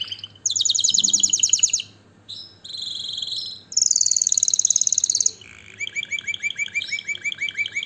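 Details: Canary song in separate tours: a fast buzzy trill, a short lower rolling phrase, a bright high trill, then a slower series of repeated chirping notes.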